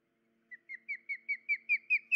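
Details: Osprey at a nest in July 2019, the female with an injured left leg and unable to hold fish to feed her chicks; a run of eight sharp whistled chirps, each louder, about four per second, over a low steady hum.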